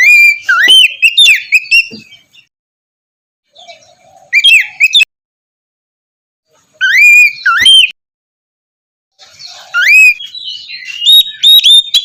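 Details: White-rumped shama singing in a morning recording meant to make a lazy bird start singing; four bursts of loud, varied whistles with rising and falling slurs, broken by short silences.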